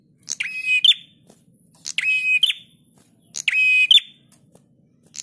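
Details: Prinia song for training cage birds: three harsh, sustained buzzing phrases with a clipped bright finish, separated by quiet gaps of about a second.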